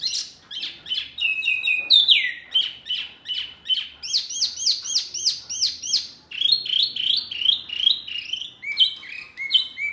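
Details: Noisy mini wambi bird, said to rile up other birds, giving a rapid jumble of high chirps and sliding whistles that shift between short clipped notes and longer descending slurs.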